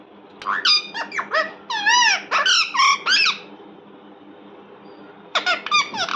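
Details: Indoor parrot letting out a string of high, wavering squeaks and curled chirps, then a quiet stretch before a short final burst of sharp notes.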